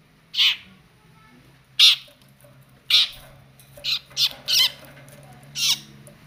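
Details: Agitated long-tailed shrike reacting fiercely to a cricket: loud grating squawks, spaced a second or so apart with a quick cluster of three near the end, against quiet low background hum.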